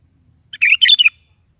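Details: A sooty-headed bulbul delivers one dense, bubbling warbled phrase of several quick notes, morning song used to make a pet bulbul reply, in quiet surroundings.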